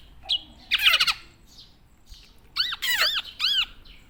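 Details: Tame black-naped oriole from Java: a harsh grating burst followed after a pause by three loud arched squawks with strong overtones, set against low background hiss.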